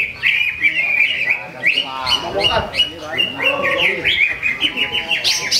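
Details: Greater green leafbird, a caged contest bird that won first place at a Ramadan practice singing contest in Sungai Batang, Jawai, giving a rapid, varied run of bright whistled and chattering notes, with other birds singing close behind.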